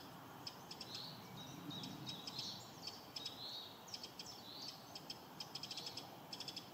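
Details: Spring alarm of a Eurasian wren: thin, sharp ticks in loose runs, speeding into quick series toward the end, quiet under broad steady background hiss with faint smeared whistles.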